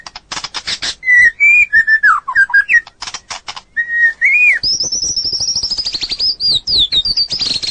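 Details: White-rumped shama training song for other birds: harsh rattles, then clear mid-pitched whistled notes with wavering slurs, ending in a long high thin trilling passage.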